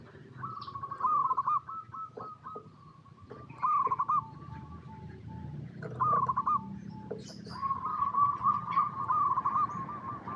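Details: Local zebra dove (perkutut) in natural habitat, singing actively: several quieter cooing phrases of rapid stuttered notes trailing into a long steady coo, set against a rumbling background hum.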